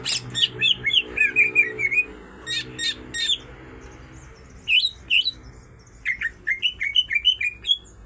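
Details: Greater green leafbirds, female and male, both singing vigorously: rapid strings of sharp high chirps and quick upward-flicked whistled notes, delivered in bursts with a brief lull midway.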